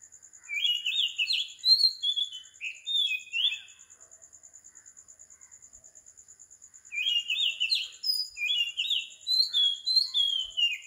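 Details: Oriental magpie-robin recorded before dawn, 4 am, in tropical Sri Lanka: two bouts of quick, varied whistled phrases with buzzy warbles, separated by a three-second pause filled by a steady, rapid insect pulse.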